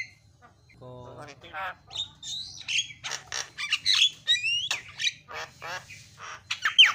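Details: Javan myna master song aimed at getting a silent bird to sing: a low nasal note, then a jumble of harsh squawks, rasps and sliding squeaky whistles ending in a sharp descending squeal.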